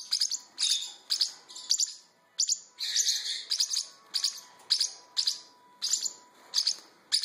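Parrotlet chicks give high, scratchy chirps in quick bursts, roughly two a second, with a faint steady hum underneath.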